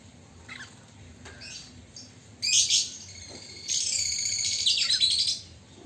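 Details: Tame caged Chinese hwamei, a bird that often bathes in its cage morning and evening, gives a harsh, buzzy call with stacked bright tones lasting almost two seconds, after a short rough burst and a few faint scratchy notes.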